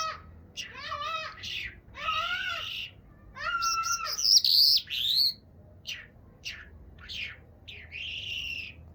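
A chukar gives bursts of harsh, chuckling notes that rise and fall, about two or three per second, mixed with a few thin, high whistles.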